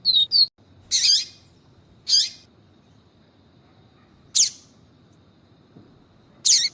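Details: Double-collared seedeater (Sporophila nigricollis), in a recording mixing male 'viviti' song with female calls, gives short, thin, high chirps in separate bursts a second or two apart, over a quiet low background hum.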